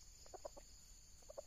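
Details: Wild red junglefowl, a fairly old bird, lured by a decoy rooster and caught in a net before it could fight. Two quick bursts of three to four short, low clucks, under a constant high insect drone.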